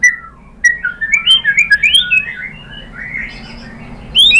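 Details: White-rumped shama song intended to draw other birds into singing: a quick twittering sequence of slurred whistles climbing and falling, fading softer toward the end before a final sharp note.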